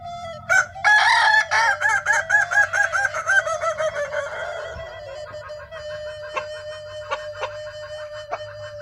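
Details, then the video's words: West Sumatran kukuak balenggek rooster from Padang: a sharp opening note, then a fast run of choppy staccato pulses, settling into a long steady tone that trails off over several seconds, with scattered clicks and background hum. "ayam kukuak balenggek //kumpulan kukuak istimewa padang sumatra barat"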